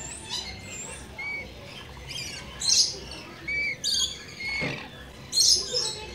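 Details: Visiting rainbow lorikeets give short, harsh, high squawks at irregular intervals of about a second, between them thin whistled notes.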